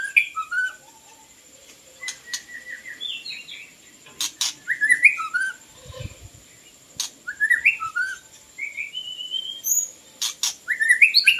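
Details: White-rumped shama song used to lure birds: varied clear whistled phrases, rising and falling slurs and short twitters in bursts with pauses, a steady high thin tone running throughout, occasional clicks.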